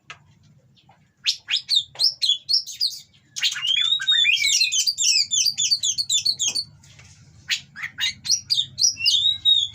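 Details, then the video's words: Breeding-condition Oriental magpie-robin from a captive line giving harsh provoking song aimed at rival birds: short staccato notes, then a rapid run of twisting whistles about four per second, with a steady low hum throughout. "Burung Kacer Kawin Bongkar Materi Kasar Bikin Lawan Langsung Emosi"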